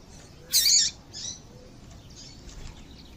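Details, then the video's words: Female double-collared seedeater call, meant to stimulate singing: one loud, high, buzzy chirp followed by a fainter echo-like note, then quiet. "Esse Piado de Fêmea de Papa capim é Seu Papa capim Vai Ficar Cantando RÁPIDO!!!"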